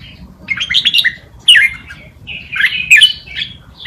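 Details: Red-whiskered bulbul tutor song meant for young birds to copy: three bursts of lively, slurred whistled notes with brief gaps between them.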